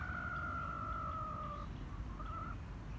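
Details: Short-tailed jungle fowl making a strange sound, 7 November 2022: a drawn-out, steady, slightly falling tonal note of about a second and a half, then a short, faint, higher rising note, over a constant low rumble.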